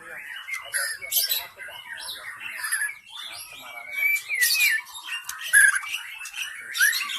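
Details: White-rumped shama song used to lure wild shamas, from a forest bird: continuous rich warbling mixing sharp chirps, sliding whistles and harsh buzzy bursts, with several brief loud peaks.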